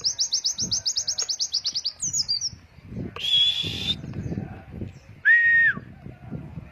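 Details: Training song of a white-eye for young birds, ngalas wit wit nafas panjang style: a rapid even trill of high notes, a short twitter, a long buzzy high whistle, then a brief clear falling whistle.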